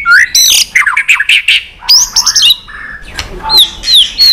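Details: Competitive song of a white-rumped shama that is trained to sing many forest-style phrases: harsh squawky notes mixed with quick slurred whistles and sharp downward-sweeping calls, delivered in tight bursts with short pauses.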